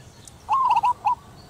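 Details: Local female zebra dove cooing to call its mate: one loud, mellow phrase of quick trilled, bubbling notes, then a short separate final coo, over quiet background.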